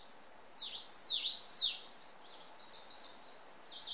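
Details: Ijima's leaf warbler singing near the Akakokko nature centre: a quick series of thin, high, swooping notes, about two per second, fading into softer twittering over a faint background hiss.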